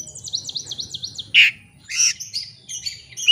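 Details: Lure song of a white-rumped shama, aimed at making a bird sing back at a rival: a rapid run of repeated high downswept notes, then a loud harsh burst and scratchy squawks.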